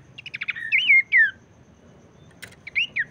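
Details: Abbott's babbler singing, used to spur other babblers into song: a quick stutter of short notes leads into clear looping whistles, then a pause, a sharp click and two more slurred whistles.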